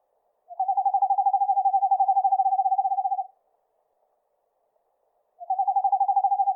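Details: Eastern screech owl giving a monotone trill, a rapid run of soft hooting pulses held on one low pitch for almost three seconds, then a pause before the trill starts again, with no other sounds.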